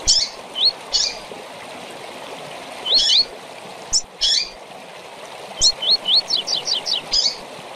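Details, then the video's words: Double-collared seedeater tui tui song with chirps for teaching young birds: scattered high notes and upswept whistles, ending in a rapid series of six descending chirps, with steady stream sound throughout. "Tui Tui com Piado para Encarte de Coleiro e Papacapim"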